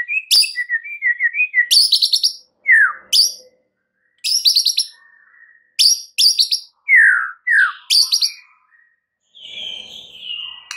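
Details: White-rumped shama song used as a lure to provoke other shamas: varied bursts of high rapid trilled notes alternating with lower whistled phrases and downslurred notes, separated by short pauses.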